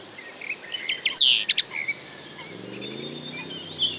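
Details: Common linnet singing a brief twittering phrase of sharp chirps and a downslurred note, then faint warbling notes over a low background hum.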